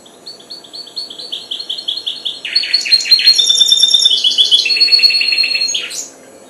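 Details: Young goldfinch hybrid, four months old, starting to sing: quick repeated chirps building into a loud, varied warble with sustained high whistled notes and buzzy trills, about three notes per second, ending abruptly.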